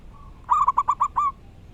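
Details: Short, loud phrase from a local wild zebra dove: a soft lead note, then six quick, bright, rolling coos ending on a longer note, over low background noise.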